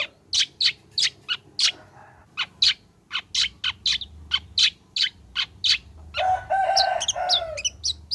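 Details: Long-tailed shrike singing actively after its moult, used as a lure to make other shrikes sing: a fast run of short, sharp chirps about three per second, then a dense harsh, grating burst with a lower tone near the end.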